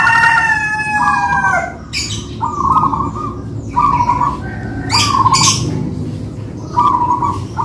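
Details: Two local-type zebra doves (perkutut) performing a manggung duet: short mid-pitched coo bursts repeated at roughly one-second gaps, opened by a loud descending rooster crow, with steady low background rumble and hiss.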